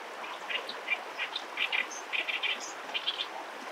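High, thin peeps from young ducks come in quick irregular bursts of one to three notes over soft outdoor background noise.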